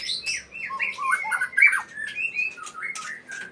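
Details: Captive-bred white-rumped shama of the Aceh type singing a fast, varied run of clear whistled phrases that rise and fall, mixed with short chirps and sharp clicks, in a small indoor space.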